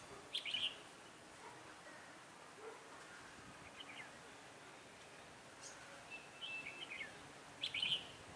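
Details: Red-whiskered bulbul used as a decoy for trapping on a cold, windy day, 16 December 2017: short, bright warbled phrases, the first near the start and a cluster at the end, separated by long pauses over faint background hiss.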